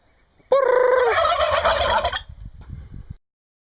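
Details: Turkeys gobbling: one loud, rapid, rattling gobble lasting under two seconds, starting with a short held note, followed by a few soft low clucks and rustling.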